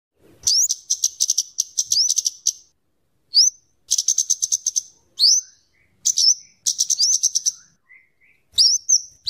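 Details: Scarlet-headed flowerpecker singing, kept as a tutor bird for luring and teaching other birds: rapid ticking chatter in fast bursts mixed with thin rising upslurred whistles, repeated every second or two with short pauses.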